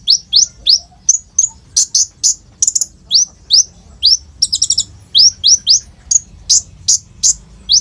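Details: Olive-backed sunbird (kolibri ninja) in lively full song with rolls and shot notes, used to lure young birds into singing, phone-recorded; rapid series of thin rising high sweeps and sharp chips with short trill bursts, steady low hum.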